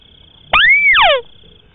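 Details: White-browed crake call used to lure birds in swamps and rice fields: a clear whistle arching up and over, then a quick burst of falling, buzzy notes, over a steady faint high tone.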